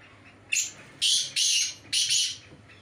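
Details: Black francolin (kala teetar) in a calling performance check against another francolin: four loud, harsh, high-pitched grating notes in quick succession, the first brief and the last three longer and buzzier, over faint background noise.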